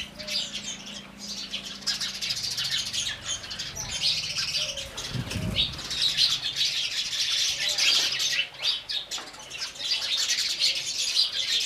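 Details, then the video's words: A busy chorus of house sparrows drinking water, with dense, overlapping chirps running steadily throughout and a brief low thud partway through. "Sparrows Sound"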